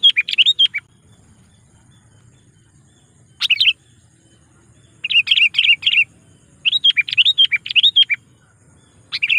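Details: Sooty-headed bulbul lure call, used to call wild rival bulbuls: short bubbly, warbled phrases around mid-high pitch, delivered in bursts with pauses between, final brief phrase at the end; faint low hum beneath.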